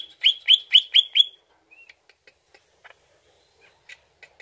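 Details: Greater green leafbird lure song. Five loud, sharp whistled chirps in quick succession, then a soft whistle and scattered faint clicks and ticks.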